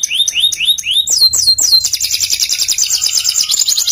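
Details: Canary singing, masteran style: several downward-sweeping whistled notes, then a fast even high trill rolling on to the end.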